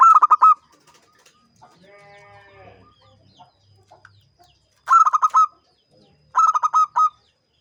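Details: Champion local zebra dove singing vigorously in the ngancing style: three bursts of rapid, hollow staccato coos, each about half a second long, separated by quiet gaps, with a brief harmonic droning sound in between.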